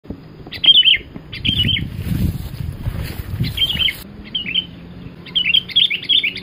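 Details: Sooty-headed bulbul giving an energetic cemgkram-style song, used as a lure for catching birds: bursts of short, bright chirping notes in quick groups, separated by pauses, over low rustling and handling noise.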